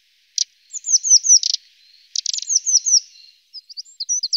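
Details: Eurasian blue tit giving high, thin calls: a sharp burst, then a series of descending whistled slurs followed by a buzzy churr, repeated twice, ending with scattered tiny ticks.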